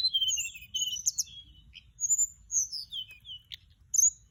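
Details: Lure recording of a Mugimaki Flycatcher: a fast run of high, falling whistled notes, then separate thin upslurred and downslurred phrases with short chips.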